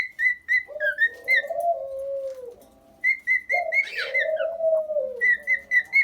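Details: Pet cockatiel singing quick repeated whistles, with a lower, drawn-out wavering tone sounding beneath the notes twice. A brief noisy rasp breaks in near the middle before the fast whistles resume.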